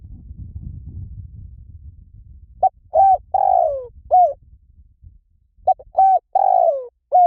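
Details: Spotted dove song after a low rumbling background noise fades: two repeated cooing phrases, each a short coo followed by a soft note, a long falling coo and a closing coo, mellow and low.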